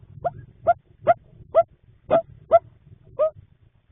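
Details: Nesting barred owls in a nest box at night, March 2026, as the male delivers food to the female sitting on three eggs; seven short, clipped notes, each rising then dropping, spaced about half a second apart over a quiet hum.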